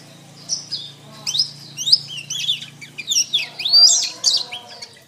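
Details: Canary singing as a master track for training songbirds, best done morning or afternoon: rapid chirps and sweeping whistled notes run into dense rolling trills that grow louder near the end, over a faint low hum.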